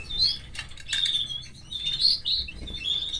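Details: Canary nestlings being fed by the hen: short bursts of thin, high squeaky cheeps, interrupted by rustling and clicking sounds of movement in the nest.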